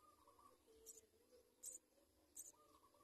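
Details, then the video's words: House sparrow chicks in a nest crying for food: three short, very high, scratchy chirps spaced about three-quarters of a second apart over a quiet background with soft low murmurs. "House-sparrow birds watch baby cry baby food"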